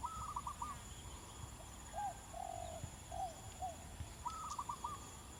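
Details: Local zebra dove calling in the wild from some distance: a soft phrase of quick repeated coos, a few lower drawn-out notes, then another quick cooing phrase, all over steady background hiss.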